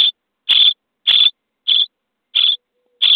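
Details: Day-23 starling nestlings in a nest box at feeding time give quick, grating rasps, six of them in about three seconds.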